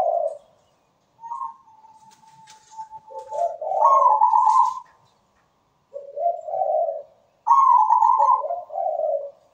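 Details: Zebra dove (perkutut) singing persistently with a sweet voice: a faint drawn-out note, then rolling cooing phrases, a higher burry coo dropping into lower rolling notes, with a second phrase after a pause.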